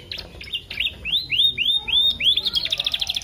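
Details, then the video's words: Canary song used as a lure to stimulate other canaries to sing: rising whistled sweeps repeated in quick succession, then a fast buzzy trill with scattered high chirps. "PANCINGAN KENARI PAUD FULL ISIAN SUPER ISTIMEWA"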